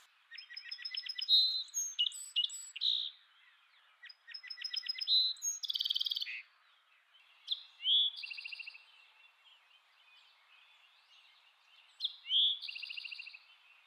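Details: Birds singing bright, high, rattling phrases of rapid chirps and trills, alternating with softer buzzy notes, in bursts separated by brief pauses.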